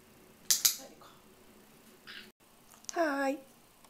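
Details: A pet white-bellied caique that has learned to say 'haai' while raising its foot, prompted with peanuts, gives a few sharp clicks, then a short, nasal, two-toned 'haai' falling slightly at the end; a person says 'hai' just before.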